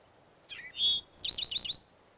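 An Eastern Towhee gives its drink-your-tea song: a short falling note, a clear sustained whistle, then a quick trill of about five bright notes.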